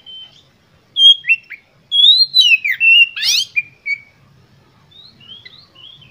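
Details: Oriental magpie-robin (kacer) in energetic, emotional song meant to provoke rival birds: rich whistled phrases that rise and fall, broken by a harsh rapid burst, then softer scattered whistles.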